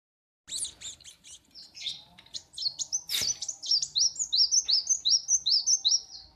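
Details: Caged kolibri wulung sunbird, kept as a master song bird, singing in the morning at a workshop: a rapid run of high, thin chirps and sharp downslurred notes, speeding into an even series of quick repeated tweets.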